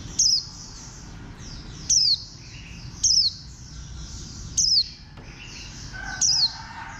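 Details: Warbling white-eye, green bantam-shaped form, calling five quick, piercing, downward-sliding chirps at roughly one-and-a-half-second intervals, each note brief and high, over a low constant hiss.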